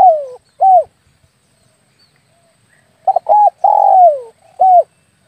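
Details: Spotted dove lure call, used to draw doves in when hunting with an air rifle: low hooting coos, each a short doubled note, then a long note that falls, then a clipped final hoot. Two phrases about three seconds apart in quiet surroundings.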